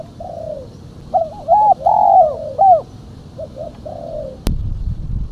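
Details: Female spotted dove call, used to lure other birds. Soft, low hooting coos, some arching up and then down, run together over about four seconds. A sharp knock follows, then louder background rumble.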